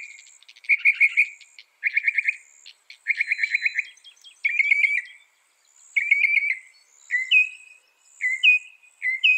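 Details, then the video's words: Northern mockingbird, said to copy 200 sounds, recorded for training songbirds: several bouts of fast buzzy chatter, each repeated three times, shifting to sharper upslurred whistles, a steady insect drone faintly underneath. "Masteran suara burung NORTHERN MOCKINGBIRE bisa merekam 200 suara"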